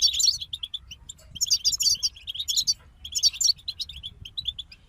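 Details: Several European goldfinches in a group sing in quick, liquid twittering phrases with scratchy, jingling notes, separated by brief gaps, over a faint low rumble.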